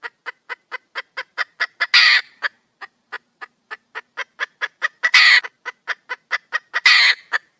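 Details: Wild female red junglefowl calling for a mate: rapid series of short clucks, speeding up, broken by harsh noisy squawks around two, five and seven seconds.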